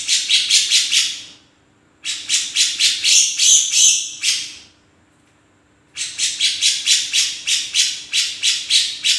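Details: Grey-cheeked bulbul (cucak jenggot) in full, energetic voice: three bursts of harsh, raspy, scratchy notes, each repeated about four times per second, separated by brief silences, with a faint steady hum in the background.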